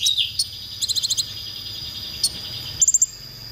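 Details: Konin song used as masteran training material for songbirds: a short high trill of about six ticking notes, isolated sharp chirps, and a final quick burst of four high notes after a pause.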